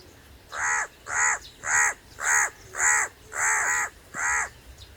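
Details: Crow giving seven loud, harsh caws in steady succession, about one every half second, each a grating, nasal note of similar length, with quiet background between calls.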